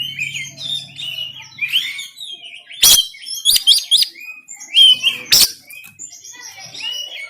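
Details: Caged oriental magpie-robin in Banten, recorded on an Android phone, in a rough, emotional song used to rouse lazy birds into singing and opening the tail: sweet warbled whistles broken by three loud, harsh rasping bursts, with a low hum at the start.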